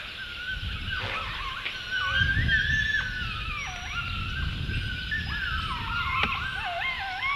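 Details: Great blue heron chicks in their nest tree, visited by one adult and one juvenile, early morning of 4 June 2015: harsh, harmonic, wavering calls that rise and drop, overlapping almost continuously, with thin songbird chirps high in the background.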